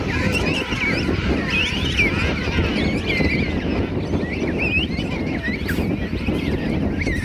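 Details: Huge colony of King Penguins, thousands strong, on South Georgia Island at Right Whale Bay, Christmas morning 2008; continuous mass of overlapping warbled and trumpeted calls over a strong, steady low rumble.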